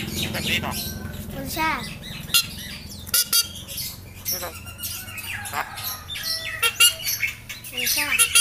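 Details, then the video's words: Javan myna, yellow-eyed, copying human talk such as greetings and coughs; a string of wavering, voice-like squawky phrases with sudden clicks and sharp taps between them. "Jalak kebo mata kuning ngomong kabib batuk,salam,piro,tuku pulsa."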